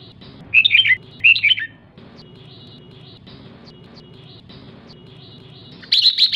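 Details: Female red-whiskered bulbul giving 'ché' calls to excite males: two short bursts of bright, twisting chirps near the start, then a long quiet gap with a low steady hum, and a final chirpy burst at the end.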